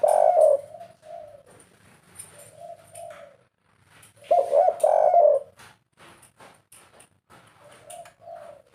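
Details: Spotted dove kept as a pet, of the 'kuk 3' call type, repeats soft mellow coos. A loud rolling burst comes midway, and scattered clicks and knocks are heard around the bird.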